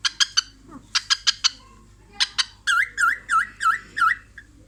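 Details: Pet cockatiel watching herself in a mirror, giving what is described as a funny laugh: sharp clicking chips in quick bursts, then a run of repeated dipping whistled notes, about five in two seconds, indoors.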